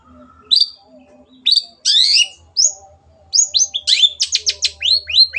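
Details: Long-tailed shrike in energetic 'gacor' tutor song: scattered high whistles and a buzzy burst, then a fast run of varied sharp notes and rising slurs toward the end. A faint low hum sits beneath.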